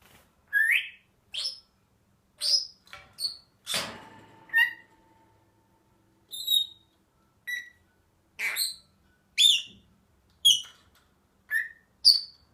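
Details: Pet Senegal parrot, described as happy, giving a lively run of short whistled chirps and squeaky rising notes in quick bursts, about a dozen across the stretch, with one sharp clattering knock midway and a faint steady tone after it.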